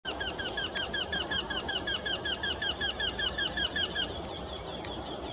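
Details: Eurasian wryneck at an artificial nest box, one of two calling nearby (possibly two males), gives a fast run of nasal, ringing 'quee-quee-quee' notes for about four seconds, then falls quiet over a low background rumble.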